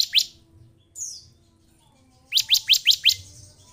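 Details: Bar-winged prinia, lure recording to prompt a caged bird to sing: two sharp upswept notes, a thin falling squeak, a pause, then five evenly spaced piercing upslurred notes.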